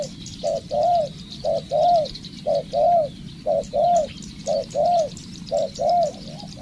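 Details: Spotted dove decoy under training repeats its phrase steadily about once a second: a short note then a longer arched coo, six times over, with a high insect drone behind.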